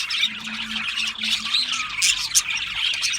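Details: Australian parrots giving harsh, scratchy squawks amid rapid high chirping, several birds calling over one another in a short burst of chatter.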